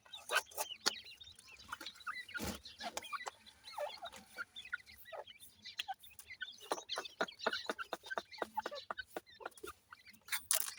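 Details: Grey francolin chicks keep up a steady stream of high, short peeping chirps, overlapping at times, amid frequent loud knocks and clicks.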